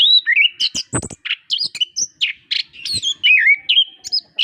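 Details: Orange-headed thrush, a gacor master singer used to prompt quiet birds to sing, pours out a dense, varied song of loud swooping whistles, buzzy chips and twisting slurs with almost no pause, along with one low thump.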